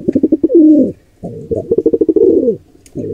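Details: At a wild nest on a birdcam, a pigeon squab is attacked by an intruder pair. Low, throbbing coos of rapid pulses run into a smooth, wavering note. Two phrases follow close together.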